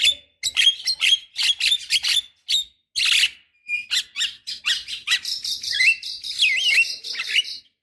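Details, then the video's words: Lure recording of a Javan myna meant to start young birds singing: rapid dry chattering notes in quick bursts, giving way to warbling, wavering whistles near the end. "Suara Khas Jalak Kebo Untuk Pancingan Jalak Kebo Obyokan / Pancingan Jalak Kebo Muda Cepat Gacor"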